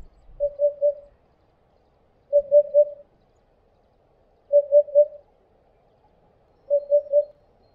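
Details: Eurasian hoopoe flying to its nest to feed its chicks, giving low, hollow triple hoots, oop-oop-oop, repeated about every two seconds against a quiet background.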